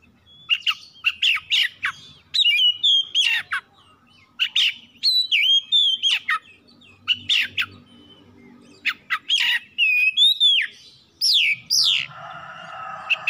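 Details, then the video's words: Home-kept oriental magpie-robin (kacer) singing a lure song meant to trigger other birds into singing: quick bursts of sharp chirps and slurred whistles, pausing briefly between phrases, ending in a harsh rasping note. "PANCINGAN CEPAT PAGI SIANG MALAM KACER RUMAHAN CEPAT GACOR"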